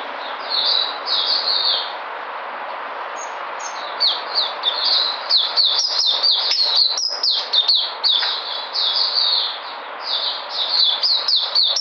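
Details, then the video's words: Puteh white-eye on 13 February 2020: high, thin twittering phrases, slower slurred notes at first, then a rapid burst of crisp chirps, with a short pause before the song resumes. "Puteh Sunday coming back in energy"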